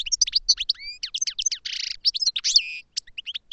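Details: Goldfinch song packed with bright chirps, whistled upslurs, a harsh buzzy rattle and quick stuttering notes in dense succession.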